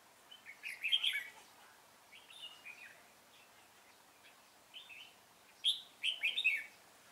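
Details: Red-whiskered bulbul decoy, recorded while trapping wild bulbuls on 25 April 2017, delivering loud twittering phrases at the start and end with softer scattered notes between.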